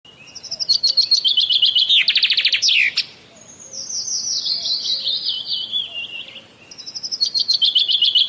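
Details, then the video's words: Common myna, known locally as shalik, in Bangladesh: bursts of rapid, buzzy pulsed notes run into a fast rattle. Then comes a long, wavering chatter sliding steadily downward, and the bird ends with quick repeated clicking notes. "Common Myna Bird Sound ! Shalik Pakhi Bangladesh Birds ! Shalik Pakhi dark ! শালিক পাখির ডাক"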